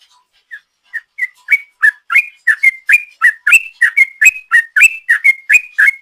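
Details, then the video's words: Ropel-style song of a sooty-headed bulbul, used as a lure. It starts with a few soft, spaced whistles, then builds into a loud, rapid run of alternating high and low whistled notes, about three to four per second. "Trucuk Gacor ropel panjang,suara ropel trucuk"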